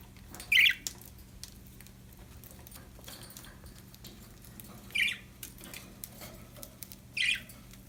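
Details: Happy budgerigars: three short, bright chirps spaced a few seconds apart over a steady low indoor hum.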